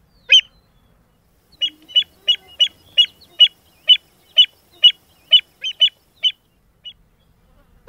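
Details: American avocet feeding on the Albany mudflats on 16 October 2013, giving a string of sharp, high 'kleek' notes, about two a second at an uneven pace, against a quiet background.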